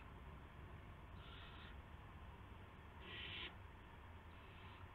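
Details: Owl on the evening of March 18, 2016, around 8 PM, arriving with a gopher for another owl; three raspy, hissing bursts, the middle one loudest and about half a second long, over a steady low hum.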